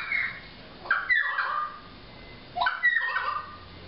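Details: Pied currawong recorded in Byron Bay, New South Wales, Australia, giving two loud ringing calls about 1.7 seconds apart; each rises steeply, then slides down in a rich, wavering glide, with quiet hiss between calls.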